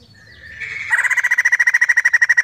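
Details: Female white-crested laughingthrush screaming: a brief quiet lead-in swells into a harsh, rapid rattle of pulsed notes, about ten per second, held steady and loud to the end.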